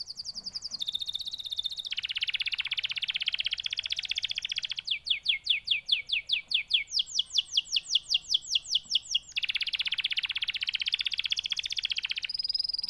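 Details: Canary in full song: long rolling buzzy trills alternating with a run of crisp, rapid descending chirps repeated in quick succession, then the rolling trill returns.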